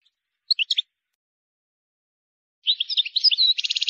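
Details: Wild European goldfinch giving a few sharp chips, then after a pause a rapid twittering phrase that ends in a harsh, buzzy trill. The song is described as free of mistakes and is used for teaching young birds.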